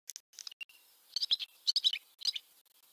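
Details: Barn swallow song: quick bright twittering chirps and short warbled bursts, rapid and high, in clusters with brief gaps.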